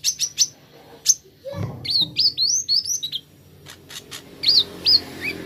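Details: Plain flowerpecker (kolibri ninja) singing: very high, thin chirps and short upslurred whistled notes, some hooked and dropping, in quick irregular bursts. A soft low thud sounds midway, over faint background hum.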